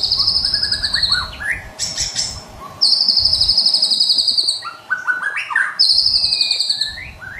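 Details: Energetic Medan-type White-rumped shama song meant for morning bird training: long, high, ringing whistles, each slightly falling, alternate with quick bursts of lower rising chirps and short rattling trills.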